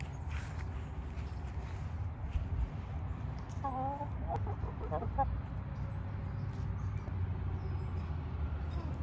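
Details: Chicken giving a brief burst of several harmonic, stacked clucking notes in quick succession near the middle, set against a constant deep low rumble, with faint high chirps from other birds scattered throughout.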